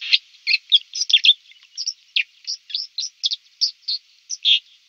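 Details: A White-throated dipper on the river Lieser in Wittlich, 2019, sings a quick, scratchy warble of high, varied chirps and trills, about three or four notes a second, with no other sounds.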